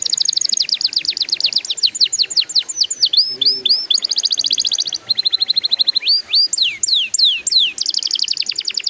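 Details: Canary song used to prompt young canaries to start singing quickly: rapid trills of descending notes, sharp upsweeps and buzzy rattles, phrases changing every second or so, loud and continuous.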